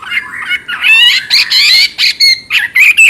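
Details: Chinese hwamei in vigorous chattering song, a fast run of loud, varied whistled and slurred notes that jump between low and high phrases, with short breaks between bursts.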